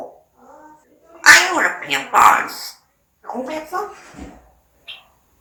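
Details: Talking pet parrot mimicking Korean phrases like "subscribe", "like" and "thank you" plus "ABC"; loud, clipped speech-like syllables in two bursts separated by a short silence, ending with a brief squeak.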